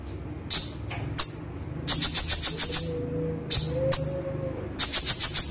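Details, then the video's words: Gray-chinned sunbird in full burst song mixed with imitations of other birds' calls: very high, thin chirps in quick runs of five or six rapid ticking notes, with brief slurred tweets and a faint low hum behind. "Konin Tembakan Kombinasi Cililin Gereja Cucak Jenggot"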